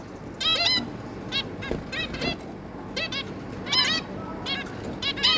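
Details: A zebra finch family, two adults and three juvenile young, on 11 May 2022, giving frequent nasal, trumpet-like beeps in bursts of two or three, overlapping one another throughout, over a low background rumble.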